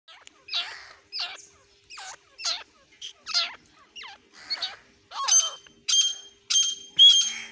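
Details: A pair of grey francolins calling: a series of short, harsh, looping notes repeated about every half second, growing into louder, squeakier, ringing bursts toward the end.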